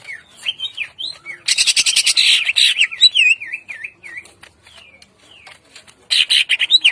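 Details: Greater green leafbird (cucak ijo) singing in the morning in the ngentrok jambul style with rough 'shots': warbling wavy whistles alternate with loud harsh, buzzy bursts, one long burst early and another near the end.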